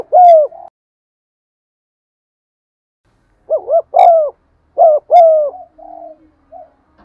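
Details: Spotted dove (cu gáy) in 'gù' cooing with driving 'thúc' phrases, used to excite and lure birds: one loud coo, a long silence, then a cluster of quick repeated coos trailing into softer notes.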